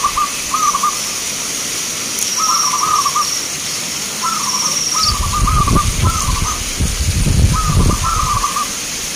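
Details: Contest zebra doves in Grabag, Magelang, Indonesia deliver repeated rolling coo phrases, each a quick string of soft trilled notes; a high thin whistle runs early on and low thumps and rumbling come in midway.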